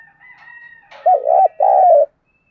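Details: Spotted dove decoy bird kept for trapping wild doves, calling in the morning: a loud, low cooing phrase of two throaty, rolling notes after a soft lead-in, with a faint higher tone in the background.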